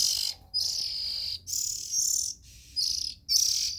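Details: Oriental magpie-robin nestlings give drawn-out wheezy hisses, high and raspy, in bursts of about a second with brief gaps.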